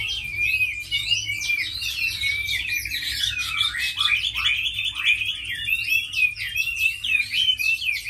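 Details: A tame Chinese hwamei, described as a good fighter and singer, produces a dense, energetic song of rapid whistles and slurred notes, some swooping down sharply, in one long unbroken stream.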